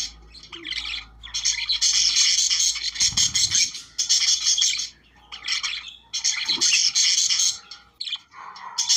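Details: Australian budgerigars singing to activate breeding: lively chirping, scratchy warbles and squeaks in repeated bursts, with a faint low hum under the opening seconds.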